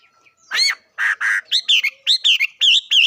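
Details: A bird sings a lively phrase: a loud downslurred note, two steady buzzy notes, then a rapid run of bright upward-hooked whistles repeated about five times.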